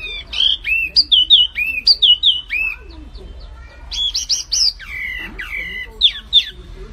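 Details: A flamboyan bird sings energetically in clear, high, warbling phrases of paired down-slurred whistles, broken by short gaps, then returns with bright upward-flicking notes; faint low rumble underneath.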